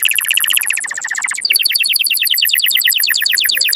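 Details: Powerful canary song for breeding stimulation: a rapid trill of repeated notes, switching after one and a half seconds to a steady, fast tour of paired high notes.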